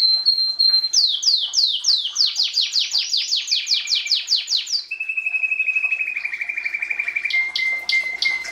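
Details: Canary song opening with a held whistle, then a series of sharp downward-sweeping notes repeated rhythmically, followed by a lower smooth trill and short chips.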